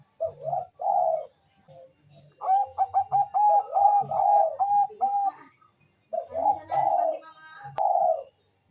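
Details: Melodious Bangkok-type zebra dove song used as a lure for mating urge and singing: rich full coos, then a fast train of clipped repeated notes, then more drawn-out warbling coos; faint low pulses in the background.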